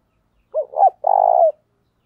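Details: Spotted dove with a 'giọng thổ' voice, giving 'thổ thúc' and 'gáy gọi' calls played to train newly caught birds: two short hooked notes, then a long, steady, slightly buzzy low coo, on a silent background.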